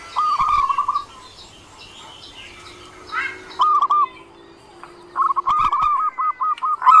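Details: Zebra dove singing ngerot style: short bursts of rapid, rolling coo notes separated by pauses, ending in a longer run of stuttered coos, while thin high chirps from other birds sound in the background.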